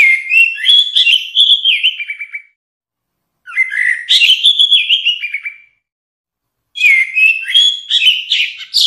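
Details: Orange-headed thrush singing for use as a tutor recording for songbirds. Three rich phrases of rising and falling whistles end in quick stuttered notes, each separated by about a second of silence.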